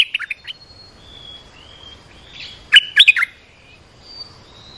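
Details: A training and lure recording of an olive-winged bulbul. A few quick chirps open it, soft thin whistles follow, then a loud cluster of three or four bubbly notes near the middle.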